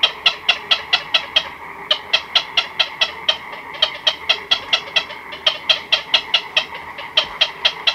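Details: Chicks and adults of black-crowned night heron calling in their colony at night, close to the recorder: a continuous, rapid rattle of clicking notes, nearly three per second, with a short pause midway.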